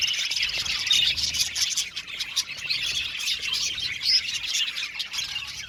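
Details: Budgerigars chattering together in an aviary: a constant high twittering wash of many voices, with a few clear whistled notes standing out briefly.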